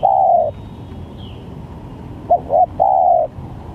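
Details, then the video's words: Spotted dove with varied calls, used as a lure for trapping: a long mellow coo, a pause, then two short clipped coos followed by another drawn-out coo, over a steady low rumbling background. "Pancingan Tekukur||Berpariasi Bunyinya"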